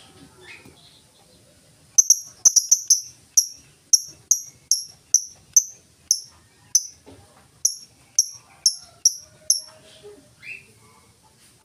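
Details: Lovebird giving the ngetik ticking song, used as a lure for other lovebirds: near silence at first, then a fast flurry of sharp high clicks settling into an even run of single ticks.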